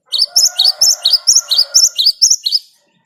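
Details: Great tit singing vigorously in the wild, the 'ngerol' rolling style used as a lure: a quick, unbroken run of about ten bright, high two-note phrases over a faint low hum.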